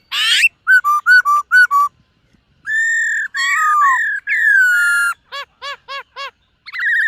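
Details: White-cheeked laughingthrush at morning voice practice: a string of short whistled notes, long steady whistles, then a series of evenly spaced ringing pulses and a final bright burst.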